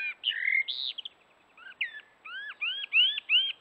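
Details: Common blackbird singing in the morning by a watering hole in a forest: a low, mellow fluted warble followed by high twittering notes, then a run of four clear, arched whistles repeated quickly, with no other sounds.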